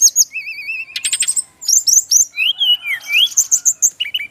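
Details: A male brown-chested jungle flycatcher from Bali gives a continuous, lively song of wavy trilled whistles, buzzy rattles and bright rising and falling slurs, densely packed throughout.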